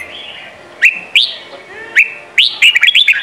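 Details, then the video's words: Sông kon style song of a Red-whiskered bulbul, played for training young birds: a few separate sharp rising whistled notes, then a quick tumbling run of warbled, slurred notes at the end. "Chào mào hót: 35 phút Luyện giọng Sông kon mỗi ngày! เสียงฝึกลูกนก | นกปรอดหัวโขน"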